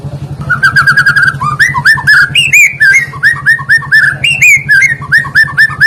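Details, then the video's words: Lure song of a white-rumped shama meant to get other birds singing: a varied run of clear whistled phrases, some trilled, rising and falling, with a constant low hum behind. "sekali dengar murai,trotoll,pastol ikutan bunyi,cocok untuk pancingan murai batu yg kurang efektif"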